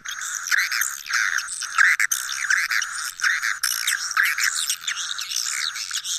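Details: Lure recording of swiftlet roosting calls, with rapid chirping chatter full of quick downward-sweeping twitters in close, uneven bursts and a faint high tone above, giving a busy, crowded-colony feel.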